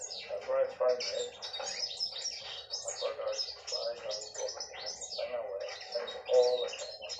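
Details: Female canary singing indoors: a continuous jumble of short chirps, twittering notes and quick slurred phrases, steady in loudness, over a low hum.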